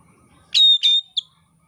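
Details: Oriental magpie-robin, used as training material by Indonesian songbird keepers: two loud, scratchy notes with a high thin whistle running between them, then a short clipped note ending the phrase.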